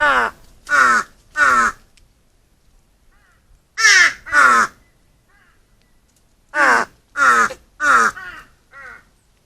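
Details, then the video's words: Several crows gathered at feeding time, described as dancing together while eating: three-part series of harsh, hoarse caws in clusters, each burst of three calls separated by a short pause, with faint softer calls between. "까마귀 식사 시간의 즐거움"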